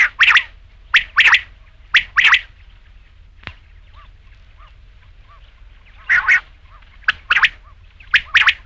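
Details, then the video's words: Repeated rasping double notes from a rain quail, about one pair per second, with faint short chirps between bursts and a single sharp click midway. "rain quail sound"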